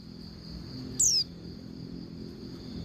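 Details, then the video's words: Female Oriental white-eye calling to the male, used to prompt males to sing: one brief high, thin descending whistle, sharp and clear, over a steady high hum and low background rumble. "Suara Pleci Betina Paling Efektif Bikin Pleci Jantan Cepat Bunyi Dan Buka Paruh"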